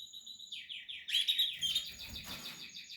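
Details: Portuguese harlequin canary building a nest, singing a fast series of repeated downslurred chirps about four per second, then a louder rich warbled trill, with soft rustling noises behind.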